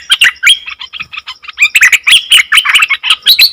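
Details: Short burst of nok dok taeng song, which wild birds react to with confusion: scattered sharp chirps at first, a quieter half-second, then a tumbling run of rapid twittering and slurred whistles.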